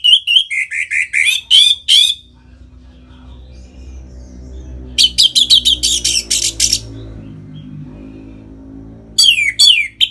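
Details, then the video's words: Captive orange-headed thrush, North Bali, in 'ngeplong' song for stimulating other birds; rapid descending and rattling note series in three bursts, with a faint low tonal hum underneath between phrases. "Suara Ngeplong ANIS MERAH Gacor Memancing Burung Agar Birahi dan Lanjut ke Tahap Teler"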